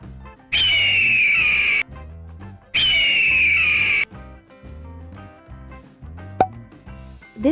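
An eagle gives two long, shrill screams, each falling slowly in pitch, about two seconds apart, over soft background music.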